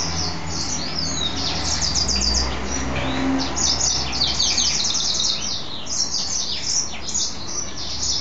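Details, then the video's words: Mule goldfinch, a caged male hybrid, in bright song after its bath: dense, high, jumbled twittering and short slurred notes, nearly unbroken, with faint low hum beneath. "Mule Goldfinch happy hour"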